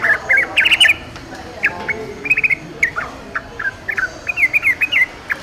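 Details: Yellow-vented bulbul in the wild giving a lively run of bubbly, slurred two- and three-note phrases, loud at first, then repeated in evenly spaced bursts over a quiet outdoor background.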